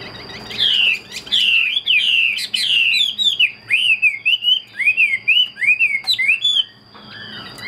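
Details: Caged Chinese hwamei pours out a long, energetic sequence of loud whistled phrases, falling slurs early and then quicker bouncing notes, with a short pause near the end and a steady high tone in the background.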